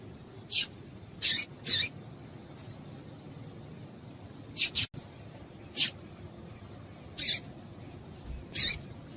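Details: Female yellow-bellied seedeater call meant to warm up males for singing. About ten sharp, high chips come singly and in quick pairs at uneven gaps of one to three seconds over faint steady hiss.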